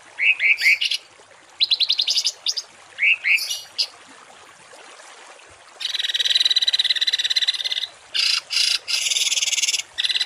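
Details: Songbird on a rough 'tembakan kasar' masteran meant for training home and contest cage birds: rising whistles and short rattles, then a long, dense buzzy burst and further harsh blocks of sound.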